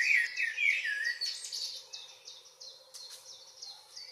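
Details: Evening song of a common blackbird in Northwest Zealand, Denmark, in June: rich fluted warbling opens the clip, then a run of short repeated high notes and soft chips continues behind.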